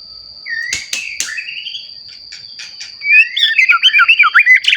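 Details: White-rumped shama in full song, recently matured, meant to provoke other shamas; sharp clicks, then a rapid run of looping, warbling whistled notes, with a constant high tone behind.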